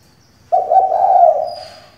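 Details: Decoy female spotted dove cooing to prompt males to sing: after half a second of quiet, one strong, even, hollow coo lasts about a second and tails off softly. A faint higher note is heard near the end.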